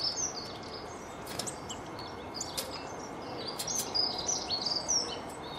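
Nuthatch giving quick, thin, high-pitched chirps in scattered bursts over a steady hiss of outdoor background noise.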